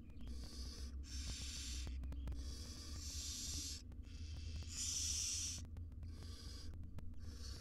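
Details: Wild barn owl mother grooming her tiny chicks inside a monitored research nest box in Israel; harsh breathy hisses come in bursts of about a second, separated by short pauses, over a steady low hum.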